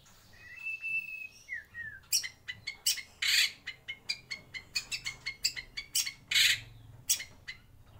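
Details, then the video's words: White-rumped shama in a breeding aviary: a few soft whistled notes open the song, then a dense stretch of clicks, chatters and loud rasping bursts follows. "Kicau Murai Batu"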